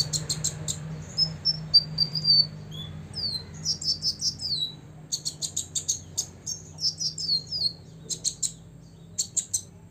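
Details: Olive-backed sunbird aged six delivering song that provokes rivals: high sliding whistles leading into rapid, repeated buzzy chatter, bursts coming almost every half second, with a low background hum.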